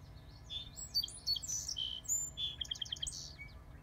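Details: A song sparrow at a solar panel and wildflower installation sings a bright, varied phrase of sweet notes and buzzes, ending in a quick trill of rapid repeated notes, over a low steady hum.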